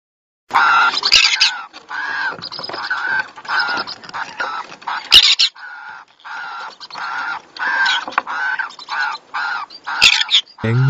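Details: A pet pineapple-coloured green-cheeked conure makes mating sounds: a steady run of harsh, nasal, rasping notes, several each second, with a few sharp clicks between them.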